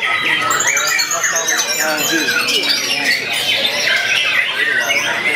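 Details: Young white-rumped shama singing persistently: a dense stream of rapid, varied whistles and sharp chattering notes high in pitch. Other birds and human voices overlap throughout.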